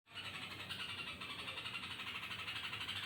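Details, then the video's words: Yellow-vented bulbul calling at night with a strange sound: a steady, rapid run of harsh buzzy pulses, about three per second, at a constant mid-high pitch, with a low hum underneath. "burung trucuk malam-malam kesambet mengeluarkan suara aneh"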